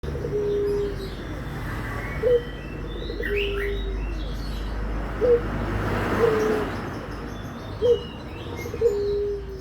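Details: A dove's low, drawn-out tonal coos, used to prompt other doves to call, are repeated roughly every two to three seconds, each ending in a short upturned note, over steady background rumble and faint distant bird chirps.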